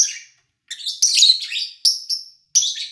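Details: Pet lovebird, August 2019, recorded cleanly while the household was quiet: a lone chirp, a pause, then a tight, loud cluster of rasping high chirps and two further sharp notes.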